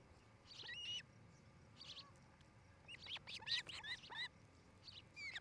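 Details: Osprey couple at a nest in Charlo, Montana, 8 July 2018 around 5 pm, heard through a nest camera: high whistled chirps, one early cluster, then a busy, uneven series of sharp rising-falling notes through the second half.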